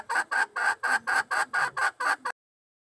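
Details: Decoy red junglefowl hen calling to attract a wild male, recorded 26 March 2020: nine loud, evenly spaced nasal clucks in quick succession, then abrupt silence.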